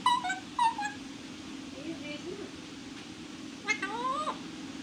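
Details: A pet parrot makes harmonic, speech-like chattering syllables, short descending notes early, then softer murmurs and a closing run of rising, nasal calls, all against a droning hum.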